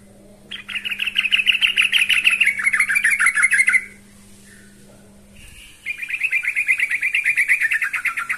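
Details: Yellow-vented bulbul singing to call a rival: two bursts of fast, rhythmic chattering notes, buzzy and slightly descending, separated by a short pause, over a steady low hum.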